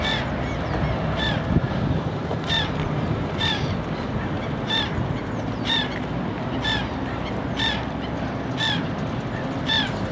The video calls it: Noisy Black-headed Gull